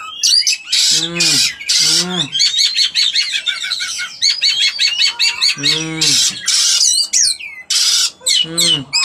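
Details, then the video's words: Female Oriental magpie-robin in breeding condition giving loud rasping, buzzy bursts mixed with fast scratchy chattering notes and short whistles, with repeated lower nasal squawks between the harsh phrases. "Kacer betina jahannam"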